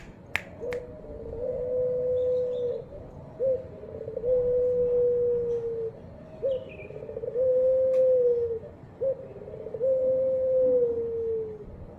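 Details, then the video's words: Ringed turtle dove, a calling bird kept by Javanese hobbyists, gives long drawn-out coos. Each starts with a short rising note and then holds a steady, slightly falling tone for about two seconds. Four coos appear over a constant low background hum. "suara burung puter gacor"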